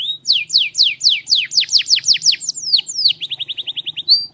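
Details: Forceful canary song of steady descending sweeps about four per second, then a quicker string of short repeated notes and a final rising whistle; soft low hum behind.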